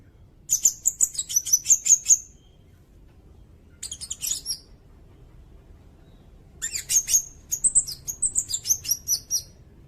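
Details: Sirindet singing, used as a tutor recording for songbirds and for luring: three phrases of very high, sharp chips and slurred whistled notes, the last phrase longest and most varied.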